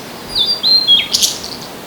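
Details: Short phrase from a blue-and-white flycatcher disputing territory with a second bird, 25 April 2026, recorded via ECM-M1: three sliding whistled notes followed by a harsh buzzy burst.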